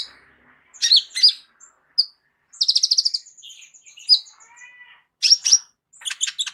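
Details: Kolibri ninja sunbird with a rich, complete mimicry fill, used as a vocal tutor for other songbirds: high, sharp chirps and buzzy trills, then a fast rattling phrase and brief descending ticks, with silent gaps between bursts.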